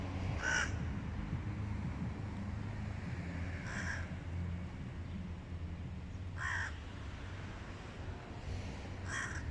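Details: Hooded crows harassing a stray cat, single harsh caws spaced about three seconds apart over heavy low-frequency rumble.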